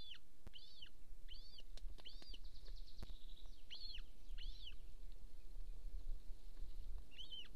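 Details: Golden eagle at its nest in Estonia near a military training ground, 26 April 2024, 13:50: a run of about eight high, arched, slightly doubled yelps roughly every half second, with a few sharp clicks and low rumble.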